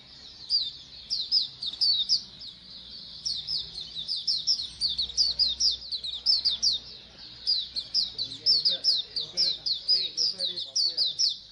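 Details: Colony sound of many Oriental white-eyes (pleci koloni), used to get birds singing eagerly. Sustained high twittering with dense overlapping chirps continues across the whole stretch, dipping briefly near three seconds.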